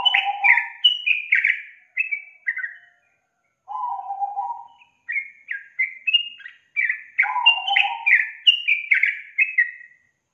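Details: Sooty-headed bulbul lure song aimed at making a young bird that is lazy to sing start singing. Bursts of bubbly, descending whistled notes come in phrases separated by short pauses, with lower chattering notes at the start, middle and later.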